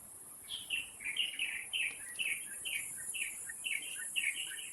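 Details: Taiwan Blue Magpie at the nest during brood rearing, wild birds at Taipei Zoo, 7 May 2022, late morning; brisk, evenly spaced short chirps repeat about twice a second throughout, with faint insect hiss above.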